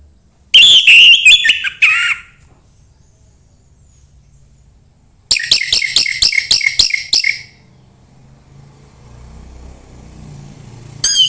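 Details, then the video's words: Played to encourage an orange-headed thrush to sing, 'suara embun pagi': a varied whistled phrase, a pause, then a string of evenly spaced sharp notes repeated rapidly, with a brief new burst at the end. "anis merah sulit gacor coba PUTAR suara burung ini | SUARA EMBUN PAGI"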